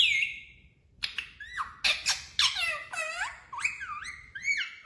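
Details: Parrot talking, repeating "mummy papa" words: a string of tonal, voice-like syllables with swooping, bending pitch and a few scratchy notes, delivered in quick succession indoors.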